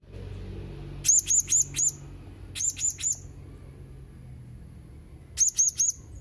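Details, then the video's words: Blue-crowned hanging parrot calling in three bursts, each a quick run of three or four sharp, very high, squeaky notes, with pauses of about a second between runs over a low background hum. "Burung Serindit anda gak akan diam mendengar Suara serindit ini"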